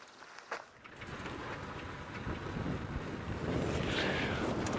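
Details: Steady wind rumble and vehicle noise at a sunrise safari, rising in loudness, with no clear animal voice.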